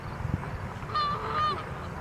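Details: Canada goose calls during a flight and landing on 23 September 2014. Two clear, drawn-out nasal honks about half a second apart stand above a low background rumble.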